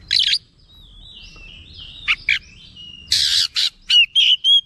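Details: Agitated oriental magpie-robin (kacer) answering straight away, in full song and bringing out its repertoire; thin wavering whistles give way to rough, raspy bursts and quick repeated whistled notes.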